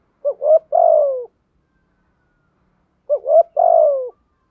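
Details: Spotted dove calls, including both male and female, used for training and luring birds: each phrase has two quick hoots and then a longer, drawn-out falling coo. The phrase is repeated after about two seconds of silence.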